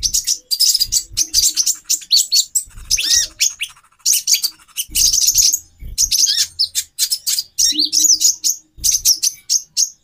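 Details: Female brown-throated sunbird (konin) calling to excite a male into breeding condition: rapid high-pitched chirp series, some slurred upward notes, steady chatter with faint dull bumps below.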